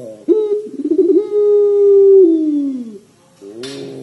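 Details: Barbary dove of the pelung type, in full voice with a long-drawn cengkok coo: a fluttering, rolled opening slides into a steady sustained low hum that sags and fades at the end, then a second coo begins.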